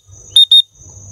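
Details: Lutino cockatiel in free flight gives two short, loud, level whistled notes in quick succession.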